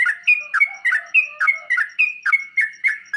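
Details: Sooty-headed bulbul song played to make a kept bird answer and fluff its feathers: quick bubbly two-part phrases, each a sharp downward stroke then a level whistled note, repeated rapidly without pause.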